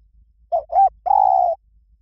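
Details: Spotted dove cooing in the 'Liw Tan' song style, used to lure and train doves to sing back: two short hollow coos, the second rising and falling, then a long level mellow coo, in a quiet setting.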